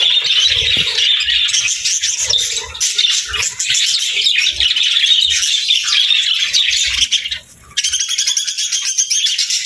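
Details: Budgerigars keep up a dense, chirpy warble of rapid twittering notes, broken by a short near-silent gap before the chatter resumes.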